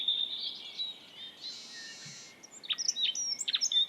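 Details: A Dunnock in Estonia sings a fast, high, jangling warble of thin notes, broken by a short hiss, then resumes with quick sharp squeaky phrases.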